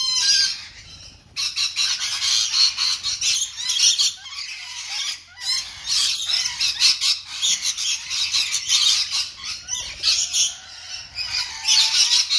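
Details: Captive rainbow lorikeets feeding on an apple keep up a constant harsh, grating screeching, many birds calling over one another in a loud, high, continuous chatter.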